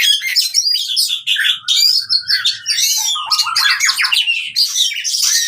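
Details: Fighting song of an oriental magpie-robin, played to restart birds that no longer sing: loud nonstop run of buzzy, scratchy notes mixed with clear rising and falling whistles.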